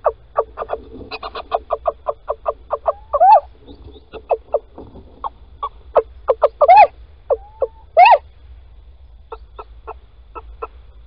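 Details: At Holten, a male Little owl calls on the morning of 16 March 2020 as the female scrapes out a nest hollow. A fast run of short yelping notes is interspersed with a few longer, upward-bending mewing calls.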